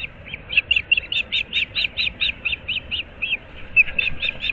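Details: At dawn on 15 April 2024, the osprey pair nesting in Moorings Park, Florida, gives a loud, regular series of high, slightly rising whistled chirps, about four per second, with a short break before resuming.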